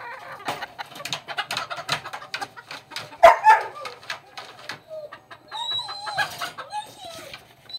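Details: Golden Sebright chickens, a rooster with hens, give short clucking notes and soft mid-pitched murmurs, with a louder burst near the middle and thin chirps toward the end over a background of scratching and tapping.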